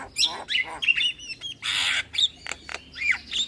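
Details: Javan myna song used as a lure for other starlings: a few rising whistled slurs, a broad harsh rasp and isolated sharp clicks over a short, choppy phrase.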